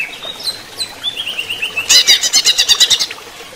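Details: A greater green leafbird kept with running-water therapy sings high, thin whistled slurs, then a fast run of about ten bright, ringing chattered notes.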